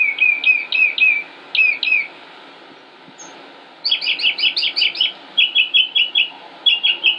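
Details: Northern mockingbird singing in Concord, North Carolina, United States, late May 2016: repeated phrases of rising chirps, a short pause, then fast runs of identical high notes switching to a new phrase type.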